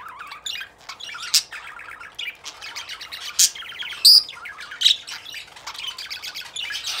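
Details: A breeding pair of budgerigars, a male and a female, in a breeding cage with the female in the nest box warble and chatter in a busy stream of high, scratchy chirps with sharp squawks, a courtship sound.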